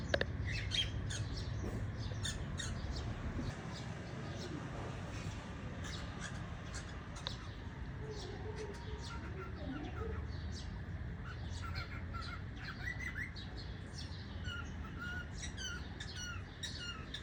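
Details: A pet cockatiel (Nymphicus hollandicus) in the morning gives short squawks and chirps over a steady low rumble of background noise.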